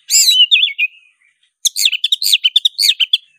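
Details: Black-breasted Oriental magpie-robin in aggressive fighting song: a loud wavering whistle phrase slurring down, a pause, then a fast string of looping, warbled whistles and sharp chips.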